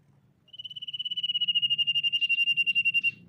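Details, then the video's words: Common iora lure song: a long, high, evenly pulsed trill of over two seconds that rises in loudness and holds steady, with a low hum in the background. "SIRTU GACOR MEMANCING LAWAN BUNYI"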